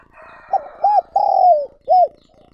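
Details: Spotted dove kept as a decoy bird, calling to provoke new wild doves: one short phrase of four hoarse, low cooing notes, the third long and drawn out with a falling end, in a quiet setting.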